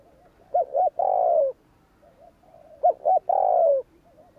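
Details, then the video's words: Cooing spotted dove, 'gù kích' style for stirring wild doves. Two phrases, each two clipped hoots and a sustained coo that slides lower at the end, with faint murmuring coos between. "Tiếng cu gáy gù kích chuẩn / Chim cu gáy gù kích bổi chuẩn nhanh nổi / Cu gáy gù phóng"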